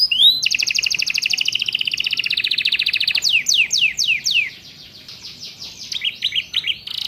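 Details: Canary tutor recording with ciblek and prenjak phrases for training captive birds: a dense buzzy trill of about three seconds, then a string of steep downswept whistles and a few twisting upslurred notes.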